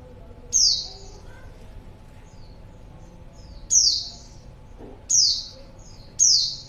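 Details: Calling female white-eye meant to draw in a male: four high, thin, falling notes with a long pause after the first, quieter brief chirps scattered between, low hum underneath.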